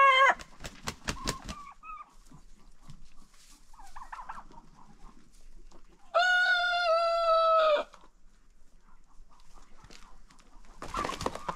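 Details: Chicken farm rooster crowing in an unofficial contest held each day after breakfast; sharp clucks and knocks open the scene, then one loud, even crow of about one and a half seconds stands out, followed by quieter hen chatter.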